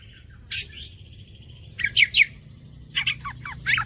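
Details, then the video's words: Oriental magpie-robin song played as bait to prompt singing: sparse phrases with a sharp buzzy burst, a steady thin whistle, then quick rasping and slurred chirps in clusters near the end. "The bait for the kacer bird turns directly to the gacor"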